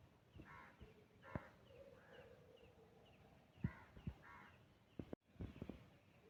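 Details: Jungle babbler (Argya striata) calls from the Indian subcontinent: several harsh, nasal, buzzy notes in short bursts, some paired, separated by pauses, over low rustling and clicking noises, with a brief dropout near the end.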